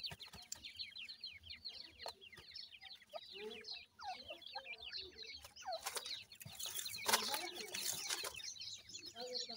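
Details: Young grey francolin (dakhni teetar) with their parents: many overlapping thin, descending peeps forming a steady twittering chorus, broken midway by rustling noise.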